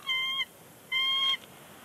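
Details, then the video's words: Two bald eagles vocalizing on their nest at Big Bear Lake before leaving, 30 January 2020; two drawn-out, flat, piping notes, each about a third of a second, with a short pause between. "Big Bear Lake eagles; chatter on the nest."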